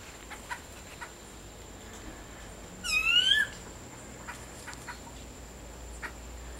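A clay-colored thrush gives one brief, nasal, upslurred whine lasting about half a second, over a steady high-pitched electronic tone and a few faint clicks.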